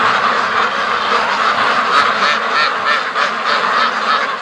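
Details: Free-range ducks from a flock of over 650 rushing to the lake, a thick chorus of quacks with sharper, louder honking calls repeated quickly over it.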